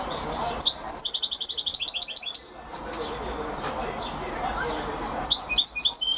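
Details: Champion European goldfinch singing: bursts of fast, bright, metallic twittering trills with buzzy notes, separated by a pause, over a low background murmur.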